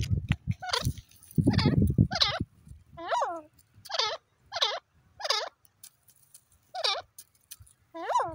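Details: Irani teetar francolin calling: after a few seconds of human speech, a string of harsh, ringing notes falling in pitch, each repeated about every half to one second, nine calls in total.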